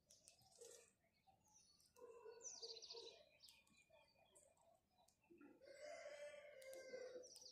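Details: House sparrows chirping in the morning: busy overlapping high chirps and twitters from several birds, with lower chattering notes and a steady background hum.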